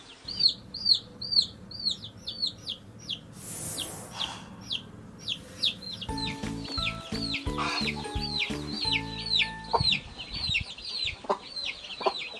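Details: Baby chicks in a farmyard chirping up a storm: rapid, high, falling peeps in steady succession, joined midway by steady musical notes that play beneath the continuing chirps.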